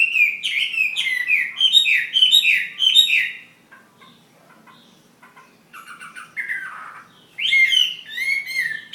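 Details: Chinese hwamei fighting bird of Ha Giang, Vietnam: five loud, repeated slurred whistle phrases about every half second, a quiet pause with soft notes, then descending warbles and bright whistles again.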